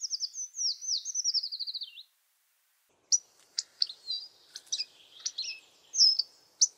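Hawfinch: a high, thin run of notes slipping downward for two seconds, then after a pause a scatter of sharp, clipped tik calls.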